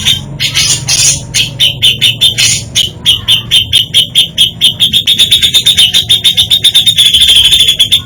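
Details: Isian variation song of a grey-cheeked bulbul: a few harsh rasping bursts, then a long rapid run of sharp high chips that speeds into a fast trill, with faint low background hum.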